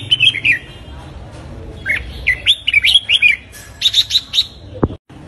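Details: Red-whiskered bulbul morning song, used to train birds toward competitive fighting song. It gives a few quick, chirpy, wavering phrases, then a run of sharp repeated notes, cut off by a click and a sudden stop.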